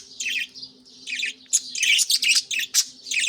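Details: Early-morning budgerigars in a breeding setup with chicks in nest pots chirp in short bursts: scratchy chatter, a pause, then a rapid cluster of sharp tweets and squeaks, about two and a half notes per second.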